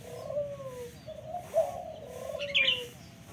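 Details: Spotted dove of local stock giving low, drawn-out coos that slide gently in pitch, with a short burst of higher chirping from another bird near the end and a faint background hum.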